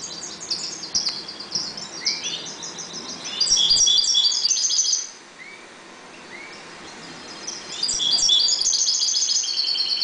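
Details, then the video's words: European goldfinches breeding calmly in a 1.20 cage sing two loud bursts of fast, bright, tinkling twitters, with a few lower rising slurred whistles in the quieter gap between them. "jilgueros criando"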